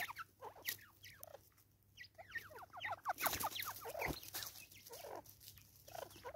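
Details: Natal spurfowl from South Africa calling raucously, about three harsh downslurred notes a second, building into a dense, loud cackling burst midway before easing off, over a faint background hum.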